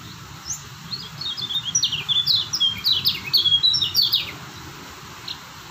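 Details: Lemon-bellied white-eye from Lombok in steady song: a few seconds of quick, high twittering, with thin descending whistles and chips tumbling together, over a soft background hiss.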